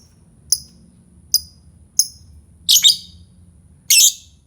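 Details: Lovebird calling to prompt other lovebirds to sing: shrill, very high chirps, three short single notes about a second apart, then two longer harsh buzzy bursts, on a quiet background.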